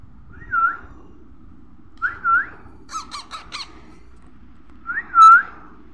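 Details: Baby parrot producing repeated whistled calls, each dipping then rising, spaced about two seconds apart, broken up by a burst of four rapid raspy squawks.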